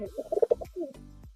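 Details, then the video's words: A female domestic pigeon, a high-flying bird kept in a loft, cooing indoors. There is a short burst of soft, throaty, bubbling coos, followed by a brief pause and a low murmur. "ഇത് ഫീമെയിലാണ്, കുറുകുന്നത് നോക്കണ്ട."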